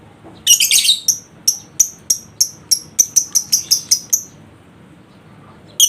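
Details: Lovebird lure meant to trigger ngekek in a reluctant singer: a harsh opening burst, then a long, rapid, evenly paced series of about fourteen piercing chirps that speeds up before stopping.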